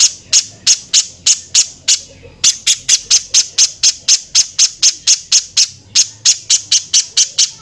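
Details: Velvet-fronted nuthatch, rough-voiced song used to teach other birds: long unbroken series of sharp, very high chipping notes, about four per second, with one brief break early on.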